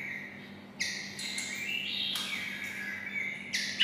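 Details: Captive white-rumped shama singing like a red-whiskered bulbul after being raised near them, heard fairly softly: drawn-out whistled notes with gliding pitch and a few short bright chirps, over a steady background hum.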